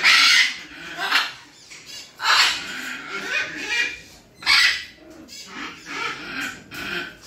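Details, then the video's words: A yellow-crested cockatoo gives four harsh, raspy screeches at irregular intervals, with softer grating chatter between them. "Yellow Crested Cockatoo"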